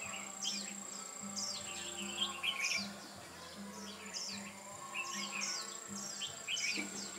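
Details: Decoy red-whiskered bulbul singing while wild birds are being trapped, 8 October 2017: brisk downslurred chirping notes in quick clusters, repeated roughly every second or two, with a constant electrical hum and high-pitched tone behind.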